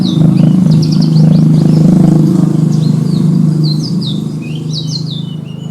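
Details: Contest branjangan, or Javan bush lark, singing richly varied 'isian' material: clustered high chirps, short whistled slurs and falling notes in bursts, above a strong low humming background.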